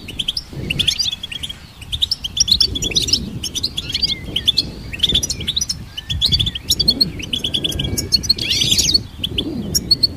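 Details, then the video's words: Long stretch of goldfinch song, lively tinkling twitters and sliding notes flowing almost without a break, with rumbling low background noise throughout. "Goldfinch Symphony orchestrated by nature's motivational melodies"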